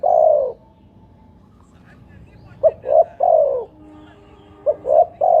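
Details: Spotted dove calling on a lure recording meant to prompt another dove to answer. A long low coo is followed by a phrase of two brief hoots and a drawn-out falling coo, with another phrase starting at the end. Faint voices sit underneath.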